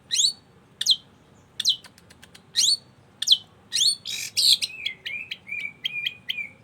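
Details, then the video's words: Energetic long-tailed shrike song: sharp high chirps spaced about a second apart, then a harsh raspy burst, then a fast series of short downslurred whistles repeated several times. "Burung cendet gacor"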